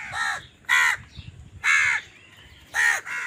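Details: Crows fighting for food: loud, raucous, grating caws repeated about once a second, four short harsh calls in quick succession, each slightly falling, with low background hum.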